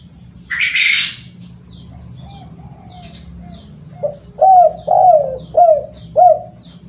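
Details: Spotted dove calling, a recording used as a lure for the species. A run of four loud, hoarse, arched coos follows a brief loud rustle near the start. Quick high chirps repeat steadily in the background throughout.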